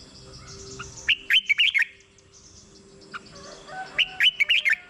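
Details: Red-whiskered bulbul singing for luring or exciting kept birds; two sprightly five-note phrases about three seconds apart, with faint thin whistles between them.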